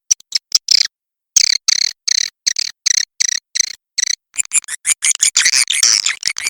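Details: Walet macan merah swiftlet sound: short bursts of crisp high clicks and buzzy chirps repeated about twice a second, after one long pause, growing denser and more overlapping toward the end.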